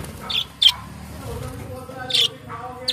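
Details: Budgerigars, colourful Australian parrots, giving a few sharp high chirps, singly and in pairs, with a faint low warble and steady hum beneath.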